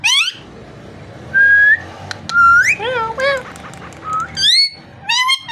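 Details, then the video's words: Pet parrot giving clear whistled notes, some flat and some rising or bending, mixed with short arched nasal calls, in bursts separated by brief pauses in a quiet room. "Amazing parrot so cute talking and voice"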